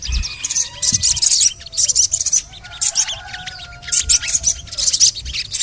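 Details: Sogon, crimson sunbird, in lure audio for lazy singers: bursts of high chirps and twitters alternating with quiet spells, while long thin lower whistles from other birds run through the background.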